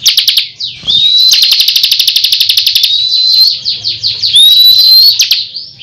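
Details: Bar-winged prinia (ciblek kristal) in gacor ngunci tembakan: opening ticks, a long rapid rattle of evenly spaced notes, then bright rising whistles above buzzy high trilling.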